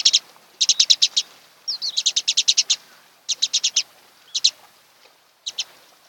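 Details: Nest-camera recording of a mated osprey pair on Kent Island, Maryland, on a June 2018 morning: bursts of four to six sharp, high whistled chirps come in quick runs, separated by short quiet gaps.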